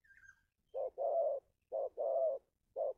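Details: Local spotted dove giving its 'kuk' cooing call, used as a lure for wild birds: low, hollow coos in a short-then-long pattern, repeated twice, with a third short coo at the end and a faint higher chirp at the start.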